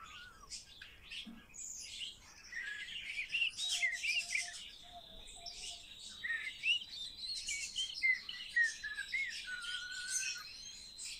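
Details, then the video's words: Common starling being trained to talk: a dense, varied medley of whistles, clicks and chirps, with a long steady high whistle running through the middle and lower whistled notes near the end. "Обучение скворца разговору"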